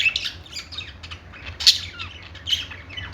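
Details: Budgies singing on a perch in a pet store: scattered bright chirps and a sharp squawk near the middle rise over a steady low hum, with several birds calling at once.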